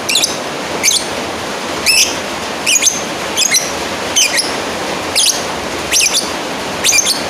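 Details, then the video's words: Calling a rival, a lovebird gives piercing, squeaky chirps with a trilled, quavering quality, repeated at slightly uneven intervals of under a second, hiss in the background. "Suara Asli burung lovebird Manggil lawan"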